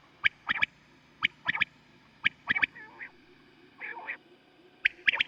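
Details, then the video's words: Quail calling at night, recorded as a hunting lure and praised for its very deep voice: crisp three-note phrases, one note then a quick pair, repeated about once a second, with two soft, low murmuring sounds between them. "بٹیر کی کیسٹ رات والی Sound of Quails Batair ki boli"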